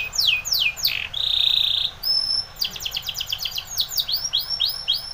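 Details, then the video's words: Canary of the Spanish Timbrado breed singing for training: falling swept notes, a sustained bright trill, then a rapid rattling series and rising repeated phrases, all high-pitched. "Timbrado canary's most powerful song for training"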